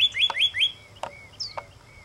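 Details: Pyrrhuloxia giving sharp, high chirps in a quick opening burst, followed by a few thin, slurred whistles and a short downslurred note at a slower pace.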